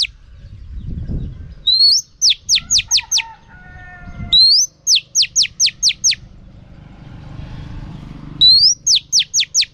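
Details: Female oriental magpie-robin song meant to excite males: bursts of steep downward whistled sweeps introduced by a rising slur, with a few flat tonal notes between phrases and soft low background noise.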